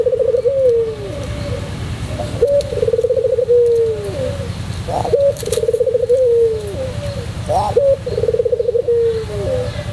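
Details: White pelung Barbary dove singing steadily, recorded as a master song for training: four low coos in ten seconds, each a bubbling trill followed by a long tone sloping downward, over a continuous low hum.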